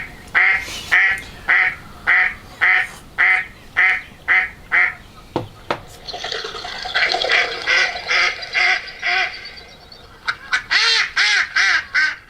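A Mallard gives a steady run of about a dozen harsh, nasal quacks, then a jumbled stretch of overlapping chatter and a final quick burst of quacks.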